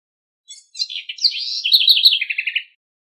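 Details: A house wren phrase aimed at teaching its chicks. A faint opening note is followed by an energetic, jumbled chatter, and the phrase finishes with about six evenly paced buzzy notes. No other sounds can be heard.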